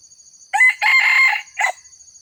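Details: Lure recording of a red junglefowl crowing to attract wild birds: one crisp crow made of a brief first syllable, a drawn-out strained middle and a short tail note, over a quiet background with a thin high tone.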